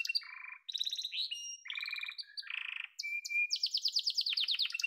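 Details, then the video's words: Yellow domestic canary singing varied tours: lower rattling trills, clear sustained whistles, a short buzzy roll, then a long high pulsing trill that sweeps gradually downward, clean recording without other sounds. "Muhteşem Kanarya Sesi: Sarı Kanarya'nın Efsanevi Ötüşü"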